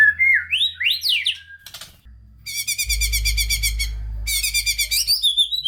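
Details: White-rumped shama song played to spark singing in sluggish shamas: quick upward whistled sweeps, then long stretches of dense, rapid buzzy rattling notes repeated several times per second over a low rumble.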